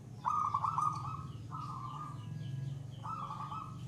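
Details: Zebra dove (perkutut), local wild-type, in gacor song stage: three trembling coo phrases, the first pulsed and loudest, each lasting about a second, over a steady low humming drone.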